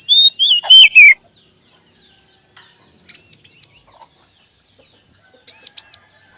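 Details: Magpie-robin lure song meant to make other birds sing: a brief quick run of twisting whistles opens, followed by two widely spaced pairs of arched high notes over near silence.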